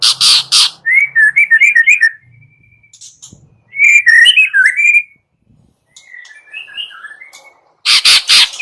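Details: White-rumped shama morning lure song: warbled twittering phrases mixing whistles and chatters, separated by quiet gaps, framed by loud harsh noisy bursts at start and end.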